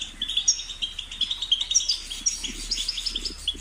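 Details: Lively goldfinch twittering, quick bright chirps in an uneven stream, with soft low fluttering noises underneath.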